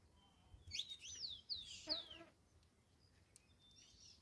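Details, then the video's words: Saffron finch in song, giving a short burst of rapid, high, slurred and downward-sweeping notes lasting about one and a half seconds, followed by quiet with a faint distant chirp. "Canário da terra cantando"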